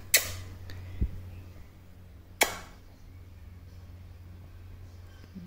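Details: A few sharp clicks and a soft knock over a steady low hum in a small quiet room, with no animal voice.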